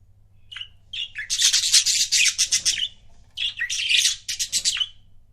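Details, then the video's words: Paired pet budgies produce loud, rapid scratchy warbling chatter in two long bursts, pulsing several times a second, opened and closed by clear single chirps. "CUTE BUDGIE COUPLES"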